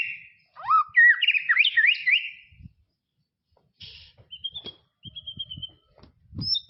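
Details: White-rumped shama from tropical forest, one burst of rapid looping whistles, then a gap and thin high steady notes with soft low knocks.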